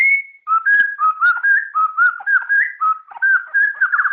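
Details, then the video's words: White-rumped shama, kept by hobbyists for its singing, opens with a long steady whistle, then runs into a rich varied warble of short fluted phrases repeated more than once a second, some trilled or rippling near the end. "suara burung Murai ceram"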